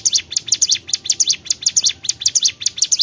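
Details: Bar-winged prinia singing hard, a brisk run of bright, high downslurred chips grouped in twos and threes, repeated over and over at a quick steady tempo.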